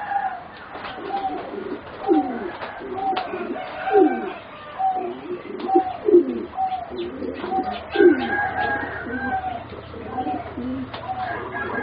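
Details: Among four young competition singing zebra doves aged around 3.5 to 4 months, several soft arched coos and short accented notes tumble together in a busy run, with faint chirps and a low hum underneath.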